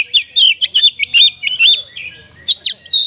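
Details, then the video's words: Kacer (oriental magpie-robin) delivering an isian song imitating kapas tembak: quick series of clear, looping whistled notes and trills, about a dozen crisp bursts in rapid succession, then a brief gap before more swooping phrases. "ISIAN KACER PALING BERBAHAYA HOT 🔴 KACER RASA KAPAS TEMBAK ORIGINAL SOUND"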